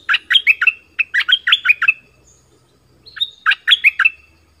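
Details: Decoy bulbul from southern Thailand delivers three lively phrases of five or six tumbling, bubbly notes that swing between high and low pitch, separated by brief pauses.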